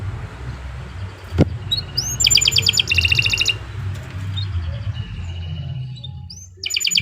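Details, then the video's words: Singing canary heard less loudly: short fast trills and a few slurred notes separated by quieter gaps, with a sharp click near the start and a low hum underneath. "Kicau Burung Kenari 132 II LUAR BIASA GACOR PANJANG Cocok untuk Masteran"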